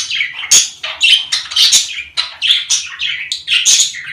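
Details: Budgerigar sounds from the breeding season, played to stir mating and get females to lay: busy warbled chatter of squawks, chirps and buzzy notes, repeated without pause, indoors, with a faint low hum beneath.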